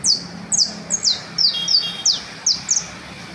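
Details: Canario basto singing in the Las Delicias valley: brisk, loud descending whistles repeated about every half second, one stretched into a short flat trill, with faint low hum below.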